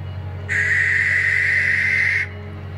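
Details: A Barn owl, which lives close to people in attics, church towers, ruins, barns and windmills, gives one long, harsh, hissing screech lasting nearly two seconds over a low steady hum.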